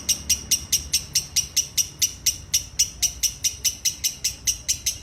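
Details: Ngekek singing by a lovebird: rapid series of shrill, clipped high notes, roughly four each second, keeping an even beat and pitch throughout, with soft low room noise behind.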